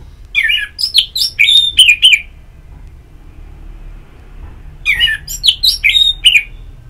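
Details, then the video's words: Orange-headed thrush in ngeplong therapy audio meant to stimulate singing: two loud bursts of rich, varied warbled whistles, fast slurred notes jumping up and down, split by a quiet gap of about two seconds. "Pagi Siang Sore Terapi Ngeplong Untuk ANIS MERAH Malam ya Tidur Merangsang untuk Bunyi"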